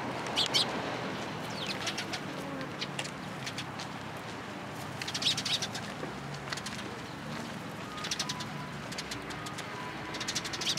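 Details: A group of sparrows amid cherry blossoms at a Tenmangu shrine on 1 April 2023, calling in clustered volleys of quick, high chirps separated by quieter gaps, with a soft urban rumble behind.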